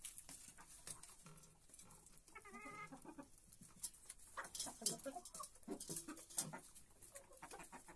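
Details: Domestic hens feeding at dawn in a henhouse, pecking at grain from a feeder. Soft clucks and a short warbling call, with busy pecking clicks and scratching throughout.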